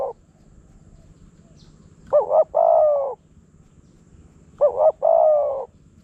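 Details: Spotted dove coos from a wild bird lured by a decoy in Phrae, Thailand: two phrases about two and a half seconds apart, each a clipped double note and a drawn-out hoarse coo, quiet between.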